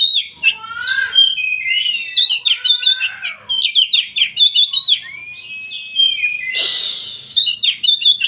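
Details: An oriental magpie-robin sings a rich, unbroken stream of varied whistles, trills and slurred notes, with a few harsh scratchy bursts mixed in.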